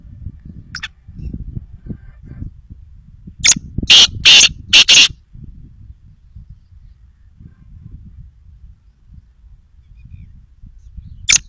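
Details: Black francolin, known locally as kala teetar, giving a loud, harsh call: a short burst, then four rapid grating bursts packed close together, with a single burst near the end; low rumbling background noise.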